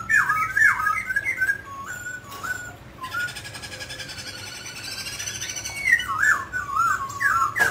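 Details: Mutant grey laughingthrush singing as it dances: twisting whistled phrases, a quieter middle of rough, noisy sound, then a return to rapid, looping whistles.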